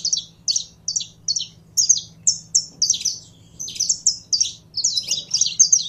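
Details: Captive saffron finch warming up to sing: bursts of sharp, high chipping notes in quick clusters, some slurred and descending, roughly two per second with short gaps, over a faint low electrical hum.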